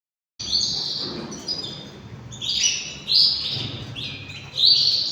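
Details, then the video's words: A 3-year-old white male canary sings a continuous run of high, bright rolling trills and warbles. The phrases swell and change every second or so, with a faint room hum beneath. "beautiful male canary singing"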